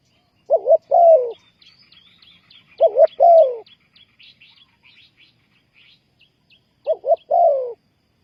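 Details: Spotted dove used as a lure for trapping wild doves, giving three phrases of a short double coo followed by a longer falling coo, spaced a couple of seconds apart, with faint high twittering between them.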